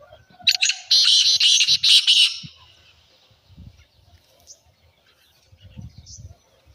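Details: Harsh, rapid phrase of about five grating notes from a black francolin, used to prompt other francolins to call, in the first two seconds, followed by quiet with soft low knocks and a couple of faint high chirps.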